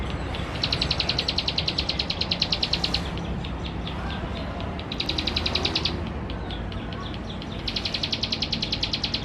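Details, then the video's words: Male plain prinia singing in West Java, a recording used to provoke rival birds. Fast ticking high-pitched trills arrive in three bursts separated by gaps, with loud continuous rumbling noise behind them. "Suara Pancingan Burung CIBLEK SAWAH Jantan Gacor"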